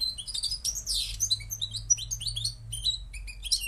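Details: Moroccan goldfinch song: quick, tinkling high chirps and a brief buzzy sweep near the start, then lively twittered notes running together, with a low steady hum underneath.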